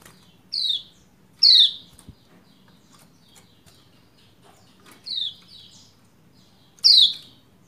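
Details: Calls of a female Lombok white-eye meant to coax a lazy male into song: four short, rasping chirps falling in pitch, in two pairs with a long pause between, over soft background clicks.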